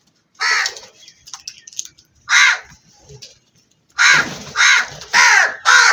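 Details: Black crow calling with loud harsh caws, one early, one near the middle, then a rapid run of four in the last two seconds, each rough and broad-toned, over a quiet background.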